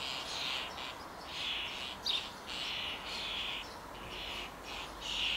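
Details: Hungry young common starling (Sturnus vulgaris), probably soon to fledge and being fed, begging with harsh, raspy hissing bursts about every half second in a steady insistent chatter, with faint background hum.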